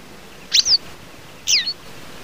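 Two thin, high, sweeping call notes from a Western yellow wagtail, about a second apart, each a quick slurred 'tsweep', over faint background hiss.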